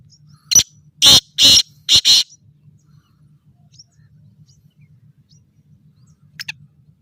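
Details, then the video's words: Caged black francolin of a good breed, lively and calling. A burst of harsh, rasping notes: one short note, then three or four longer grating ones in quick succession. A faint note follows later over a steady low hum. "Chakri Wala Bhot Achi Nasal Ka Teetar Masti Our bolai karty howy"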